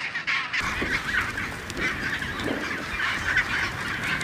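Chinstrap penguins fill the air with a dense, ceaseless din of harsh, braying squawks, many birds calling over one another in a raucous colony chorus.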